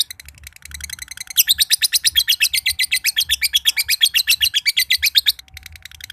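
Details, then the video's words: Josan lovebird from Mojokerto starting a long ngekek trill: faint fast notes, then a loud run of rasping chattering notes for four seconds, fading back to soft rapid notes. "LOVEBIRD JOSAN NGEKEK PANJANG BIKIN BURUNG IKUTAN NGEKEK"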